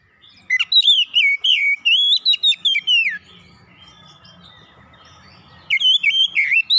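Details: Oriental magpie-robin pouring out a long run of loud, varied whistles for about three seconds, then a quiet pause with a low murmur, then a fresh burst of gacor song.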